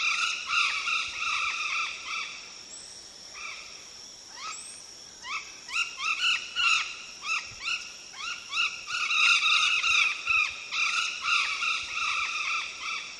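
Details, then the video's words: Golden parakeet, an endangered parrot also called ararajuba or guaruba: harsh, rasping squawks with layered overtones, repeated in irregular bursts of two or three per second, sometimes overlapping as if several birds call together. "ARARAJUBA CANTANDO"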